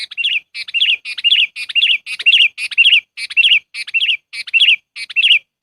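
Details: Sooty-headed bulbul lure call for trapping birds: a fast, steady run of loud, bubbly, chortling notes, about ten near-identical phrases in under six seconds.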